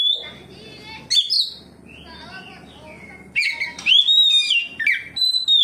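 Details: Responding to another magpie-robin, an Oriental magpie-robin sings openly and displays its varied phrases: a steady whistle, a gap of soft chatter, then loud twisting whistles and sharp upward flicks in quick succession.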